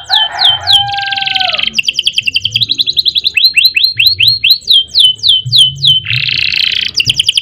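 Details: Canary song in a long rolling style, meant for training other caged songbirds: buzzy rattles, rapid trills and sweeping down-slurred whistles repeated several times a second, with a steady low hum underneath.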